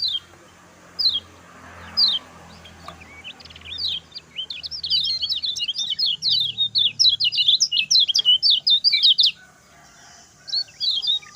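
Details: Lemon-bellied white-eye, short fast 'speed pendek' song for training other birds: a few spaced thin whistles over low background hum, then a fast, steady string of sharp high chirps lasting several seconds before tailing off.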